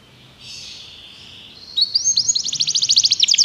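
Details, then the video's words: Belgian canary singing heavily as a training recording: a soft warbling opening gives way to fast, bright, repeated high notes, about three or four per second, rising in intensity. "Canários Begie cantam muito"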